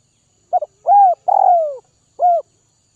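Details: Spotted dove from northwest Vietnam, a bird being tamed and hand-fed, giving one cooing phrase: a quick stuttered double note, a rising-falling coo, a long drawn-out descending coo, then a short closing note, in an otherwise quiet setting.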